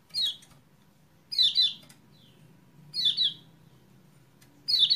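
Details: Kecial kuning lure to get a caged bird that has gone quiet to sing; four loud chirps, each sliding downward and often doubled, spaced about 1.5 seconds apart over a soft low rumble.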